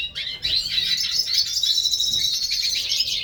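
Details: Hooded siskins in a breeding aviary deliver a sustained, high, rippling twitter that carries on almost unbroken, mixing thin whistles with fast buzzy trills.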